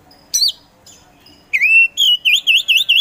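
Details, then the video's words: Oriental magpie-robin, poci form, giving a sharp whistled note, then a long swooping whistle followed by quick repeated dipping, bouncing notes. "KACER POCI GACOR SANG PROVOKATOR"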